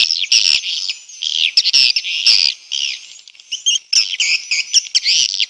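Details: Swiftlet response call heard as a steady, shrill, high twitter with rapid buzzy trills, swelling and fading in short bursts but never stopping for long.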